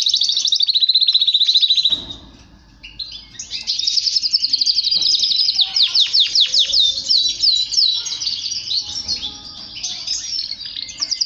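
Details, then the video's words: Male canary singing to stimulate other males: a steady rolling trill, a short pause, then rich warbling and a series of repeated sweeping notes ending in bright rolls. "Canari chante طريقة تحفيز دكور طائر الكناري على التغريد والهيجان"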